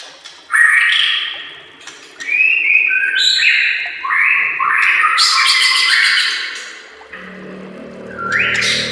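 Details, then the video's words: A white-rumped shama sings a master song meant for training caged birds. Rich whistled phrases step up and down, mixed with dense buzzy bursts and chattering notes, and end in a rising whistle. "SEKETIKA PASTI NYAUT dan GACOR bila murai batu anda dengar suara MASTERAN burung seperti ini"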